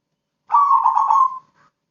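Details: Crossbred zebra dove, said to sing actively day and night, giving one short cooing phrase of rapid, pulsing low notes that run together for nearly a second, then a faint trailing note, in otherwise silent surroundings.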